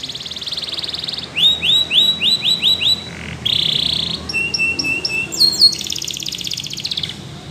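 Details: A Belgian canary sings a buzzy trill, then a string of sliding whistled notes, a dense rattle, clipped repeated chirps and a closing high buzzy roll.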